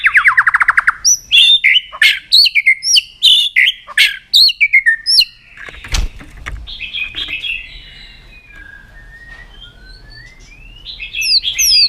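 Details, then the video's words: Song of a white-rumped shama (murai batu): a fast buzzy rattle opens into loud varied whistled and chipping notes, then quieter, softer warbling phrases trail off before a final louder whistle. "Keganasan murai batu diam jadi rajin bunyi kembali"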